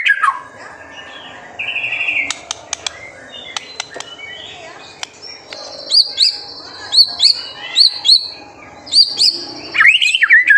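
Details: White-rumped shama, lively master song for provoking young birds to sing; soft whistles and sharp ticks at first, then a string of high, clear repeated notes and a closing varied warble.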